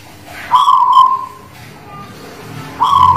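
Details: Zebra dove in song (manggung), Guling Murio type from the Muria area of Kudus: a stuttered opening note leading into a long rolling coo, then quiet, then the next phrase beginning.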